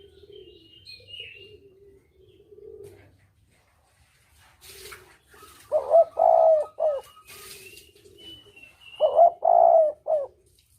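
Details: Spotted dove lure call, the double-coo 'kuk dobel dua' style used for bird hunting; soft low murmuring coos at first, then two loud bursts of clustered, throaty coo notes a few seconds apart, with faint higher chirps behind.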